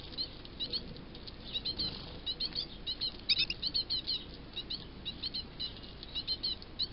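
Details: Great tit chicks wanting to be fed on 2 June 2022 give rapid, high, thin begging notes in busy overlapping bursts, with a soft rustle and flutter beneath.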